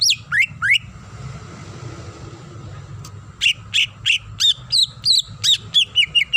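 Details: Varied song of a female greater green leafbird summoning the male, with mimicry fill: a few looping whistles, a quiet pause, then a regular string of clear upslurred and downslurred whistled notes over low background hum.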